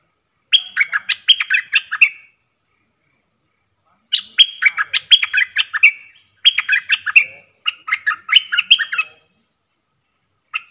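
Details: Caged bulbul answering wild birds in a song duel, 3 October 2021: four short bursts of lively, warbled whistles, each about one and a half seconds, separated by quiet gaps.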